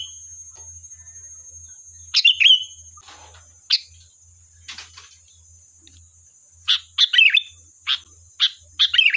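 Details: Sooty-headed bulbul lure song to provoke an answer: scattered short chirps and bubbling phrases, quickening near the end into a run of rapid separate notes, against a constant high hiss and faint clicks.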